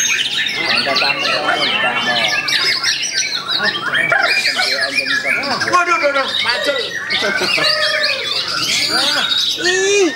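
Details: White-rumped shama singing in Klaten: dense, varied song of rapid whistled sweeps, rising and falling slurs and chattering notes, continuous throughout, with people talking in the background.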